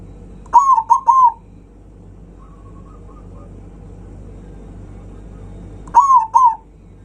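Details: Zebra dove loud rival-provoking song: a three-note cooing phrase, a much fainter distant phrase, then after a long gap another close phrase of two wavering coos, over low steady background hum.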